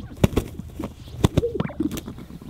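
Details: Greater Sage-Grouse on a spring lek in southern Wyoming sagebrush steppe, morning, with displaying males and watching females: wing flapping, a few sharp, dry thumps in quick pairs, with soft low pops and a brief whistled note.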